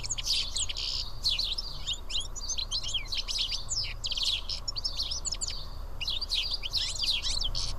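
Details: Several house sparrows sitting and eating together at Karyotissa, Greece: dense, overlapping bright chirps and short tweets run throughout over a steady low rumble.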